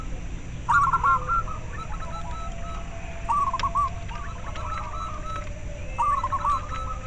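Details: Local zebra dove cooing, played to stimulate breeding drive in caged doves and to lure birds; rolling, trilled coo phrases near one pitch, three bursts spaced about two to three seconds apart, with softer cooing between and steady background hiss.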